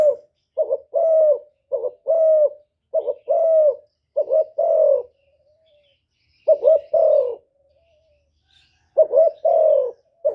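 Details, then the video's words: Spotted dove used as a decoy, cooing against a wild rival. It gives repeated two-part phrases, a quick broken note then a drawn-out mellow coo, in bursts separated by short pauses and longer silences. "Tiếng cu mồi lỡ gù đấu bổi"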